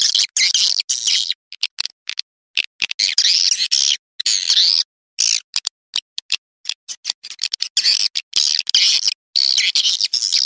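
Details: Swiftlet lure call meant to draw swiftlets in: dense bursts of harsh, buzzy chirps, chopped by frequent abrupt silences into short choppy runs.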